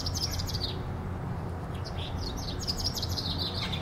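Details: In Powerscourt Gardens, a chaffinch singing in a tree gives quick runs of high, bright chirps in two bursts, over a steady low rumble of wind or distant traffic.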